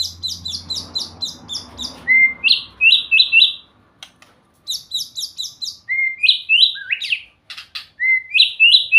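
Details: White-rumped shama singing sweetly, in loud bursts of rapid high stuttering notes that lead into rising, slurred whistles, repeated over and over with brief pauses between phrases.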